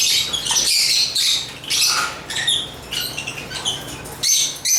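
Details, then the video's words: African lovebirds give scattered thin, high squeaks and chirps, some short and clipped, others longer and scratchy, in an uneven, chattery rhythm. "African Love birds Agapornis chirps singing sounds"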